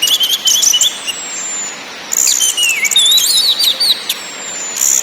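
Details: Song of an orange-headed thrush, known locally as anis merah, with ngakrak, ngeplong and nyiul styles: bursts of rapid high chatter alternating with long thin whistles and swooping, slurred whistled notes.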